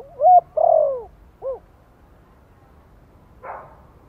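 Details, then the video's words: Spotted dove, Thổ voice, gently cooing as a lure for newly kept wild birds: a phrase caught mid-way with a strong coo, a long downward coo and a lone end note, followed by a brief rustling noise. "Tiếng chim cu gáy Giọng Thổ kích mồi nhẹ nhàng - Bổi mới nuôi nghe nhanh nổi."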